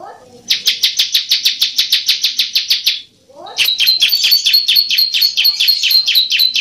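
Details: Masteran song of the bar-winged prinia, used to prompt silent prinias to sing. It is a fast, even series of sharp, high buzzy notes, then after a brief break a denser, trilling stream of rapid notes.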